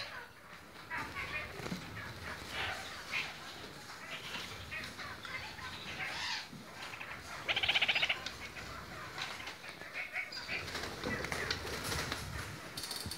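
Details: Red-crowned parakeets (kakariki) in various colour variants give a run of short chirps and chatter, with a louder, harsh burst near the middle, over steady background rustling and wing noise.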